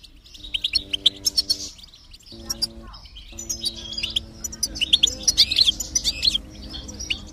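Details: Goldfinch singing as stimulation for a silent bird: sharp high chirps and jangling twitter phrases, with steady low musical tones sounding in separate blocks underneath.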